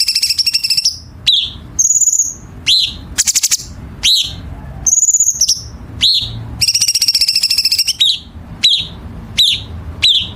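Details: Chinese bulbul masteran for competition birds: buzzy trills, high level whistles and repeated sharp downward slurs follow in quick succession, with brief rattling bursts between phrases, the dense filling cutting cleanly through a quiet background.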